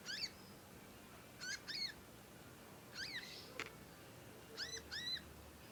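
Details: Conin fledgling learning its song, used as a master track. Pairs of bright, hooked chirps come in clusters every second or two, with one sharp click and faint hiss.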